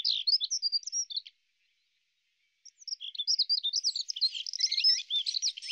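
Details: A European robin sings during courtship, in which the male feeds a begging female: a high, tinkling, rapidly varied phrase, a pause of over a second, then a longer warbling run of thin, sliding notes.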